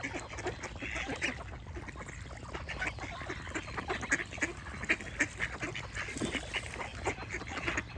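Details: Many ducks quack together in a continuous patter of brief, coarse calls, with birds chirping among them and a low steady background noise.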